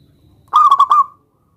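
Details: Zebra dove of a local strain calling a rival to provoke a reply: one fast, bubbling coo of four clipped notes that runs into a drawn-out trailing whistle.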